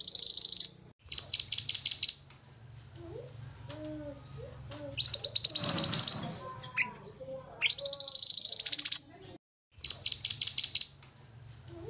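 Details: Energetic Pied bushchat singing as a training recording: repeated high, rapid trills alternating with a smooth sustained buzzy note, with a brief noisy rustle midway and soft low whistles between phrases.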